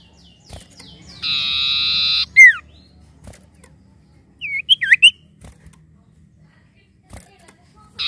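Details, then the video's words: Common iora, a bird used as a lure sound: a long flat buzzy note followed by a loud sharply falling whistle, then a quick cluster of twisting, looping whistled notes and another buzz at the end. "PANCINGAN BUNYI CIPOH BAHAN"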